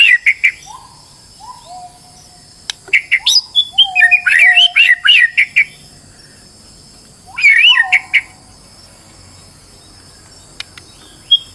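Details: Stressed white-rumped shama song used as a lure to set other birds singing: scattered bright chips, then a burst of quick warbled and trilled notes, a short pause and another burst, with soft low whistles between phrases.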